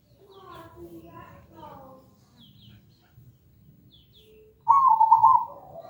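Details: ['Soft chirps and murmuring voices, then one loud, rolling, trilled zebra dove coo near the end. The song recording is meant to encourage a kept bird to sing.']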